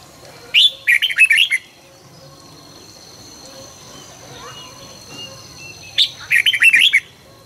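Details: Red-whiskered bulbul morning song, recorded in 2020 for training birds to sing fast and fired up: two bright, quick warbled phrases of chirpy rising and falling notes, separated by a long pause, over a steady high whine.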